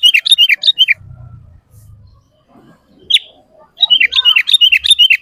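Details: Bubbly, rollicking sooty-headed bulbul phrases of quick, chortling whistled notes open and close the recording. Between them come low thumps and a single sharp note. The song serves to lure caged and wild bulbuls into singing.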